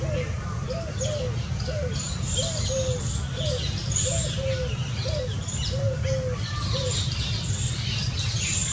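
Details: Indian scops owl family, with a run of short, arched, hooting notes at a mid pitch, some paired, coming about twice a second amid high chirping from other birds and a steady low rumble.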